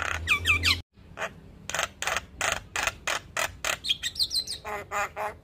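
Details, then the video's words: White-eyed black-winged starling, a champion singer, giving full-fill training song: looping whistled phrases, then an abrupt break followed by a string of broad, harsh chattering notes and rising whistles repeated steadily. "Masteran Jalak Kebo Full Isian Tayang Setiap pagi - Jalak kebo Mata Putih Juara Kicau"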